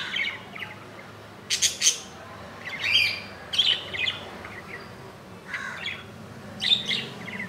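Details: Pet budgerigars around a nest where a chick, about an inch long, hatched early on 15 July 2018, filmed on day two: busy scratchy chirps and squawks in clusters of two or three, with short gaps between.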